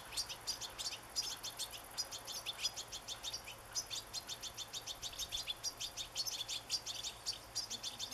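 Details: Young European goldfinch begging while being fed sunflower seeds, recorded 27 August 2014: rapid, high, thin chirps repeated several times per second in steady insistent bursts throughout, with faint background hiss.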